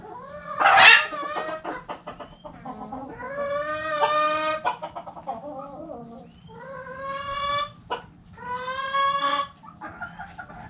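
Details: Backyard hens clucking and calling: a loud burst at the start, then a run of drawn-out, harmonic, slightly rising calls separated by short clucks, over low steady hum.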